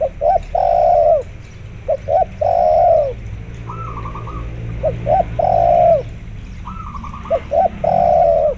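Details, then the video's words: Spotted dove calling vigorously alongside local zebra dove sounds, used as a lure to make zebra doves call: three low phrases, each two short coos then a long drawn coo, about every two and a half seconds, with higher rapid trilled zebra dove coos between. "tekukur gacor di iringi suara perkutut lokal gacor untuk pancingan"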